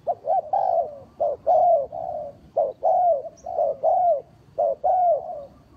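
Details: Spotted dove lure bird for trapping, cooing loudly in a steady run of soft, mellow notes, each slightly falling, repeated about once per second with short gaps. The background is quiet.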